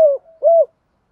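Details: Spotted dove, used as a training lure to get birds cooing: two short, low, hollow coo notes, the second slightly longer and steadier, then silence.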